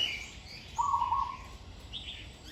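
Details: Zebra dove in training, song with good phrasing: a single rattling, staccato coo phrase of under a second, accompanied by soft high chirps from other birds.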